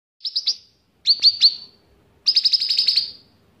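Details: Caged bulbul (cucak ranting) singing actively, trained to include cicilin song: three bursts of high, sharp chirps, short stuttering groups, then a longer rapid trill of repeated notes.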